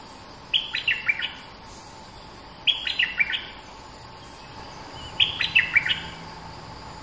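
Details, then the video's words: Streak-eared bulbul, a dominant local bird singing long songs: three bright phrases of quick descending whistled notes around two seconds apart, each a burst of four or five clear notes, over steady insect hiss. "เสียงนกดอกแตง Ep.212 จ้าวถิ่นดุ!! สับเพลงยาวน่าฟัง Suara pikat merbah lekir gacor"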